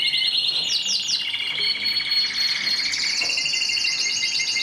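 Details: Mosaic canary singing continuous rapid trills and rolling phrases, with high sweeping notes overhead and steady buzzy, metallic tones throughout.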